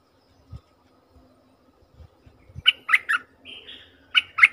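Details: Bulbul lure call for trapping wild birds: soft low knocks, then two bursts of chattering notes, the first three short chirps with a brief whistled slur, the second two sharper chirps.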